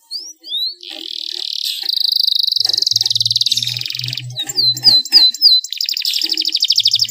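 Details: Canary song to prompt other canaries to sing: a few upslurred whistles, then a long buzzy rolling trill, a series of sharp clipped notes over a low hum, and a final rapid trill.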